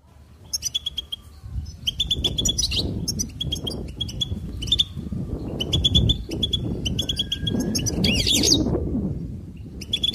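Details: A goldfinch delivers short bursts of fast twittering chirps about every second, with one buzzy rasping phrase, over steady low rumbling background noise.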